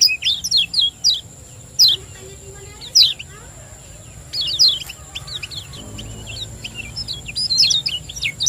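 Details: Champion lemon-bellied white-eye from Lombok singing energetically in the 'ciak joss' manner, meant to stimulate other birds: spaced sharp high chirps, then denser, rapid chattering bursts of thin downslurred notes, with a faint steady whine behind.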